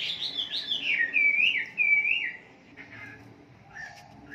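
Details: A wambi's brisk song played as a morning lure for caged birds: tumbling high notes and two clear whistled slides, trailing off into faint scattered calls.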